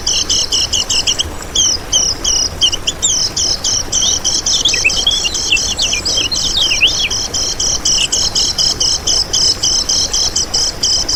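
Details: Kecial kuning white-eye song meant as a trapping lure and master tutor for caged birds: dense, high-pitched chattering trills with repeated pulsed notes and a few lower slurred twitters midway, unbroken throughout.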